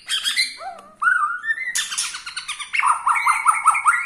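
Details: Borneo-style white-rumped shama song meant to anger rival shamas: varied rich whistles sliding up, then a quick series of repeated chopped notes, loud and continuous.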